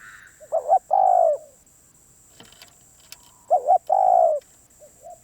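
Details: Spotted dove, a wild-caught bird said to be very persistent, giving two phrases of low cooing, each a quick two-part note and then a drawn-out coo, with a faint short note at the end.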